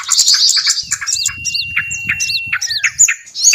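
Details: Calls used to lure small birds: a mix of squeaky chirps, high swooping whistles and one long steady thin whistle, over a soft low rumble.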